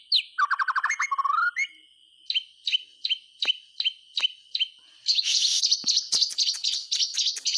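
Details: White-rumped shama song played to prompt silent shamas to sing: a quick descending warble, then sharp clicking notes about twice a second over a steady high tone, ending in fast buzzy chattering bursts.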